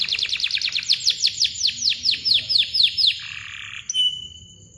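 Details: Canary rolling its chirps in a long tight series, a song used to get silent birds singing; quick repeated sweeping notes slow slightly, then end with a short flat whistle.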